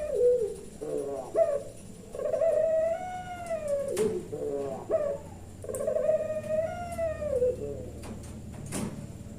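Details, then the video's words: Puter pelung turtle dove, Kebumen, Central Java, calling in the 'nembak-nembak' style. Two phrases of quick broken notes each swell into a long, arching, resonant coo that slowly falls away, with some clicking in the background. "BURUNG PUTER PELUNG SUARANYA NEMBAK NEMBAK"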